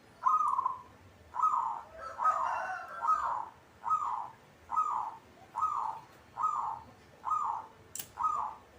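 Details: Local zebra dove (perkutut) kept in a cage, singing in gacor style: nine rolling, trilled coo phrases, each about half a second long, delivered steadily about one second apart, with faint other sounds in the background.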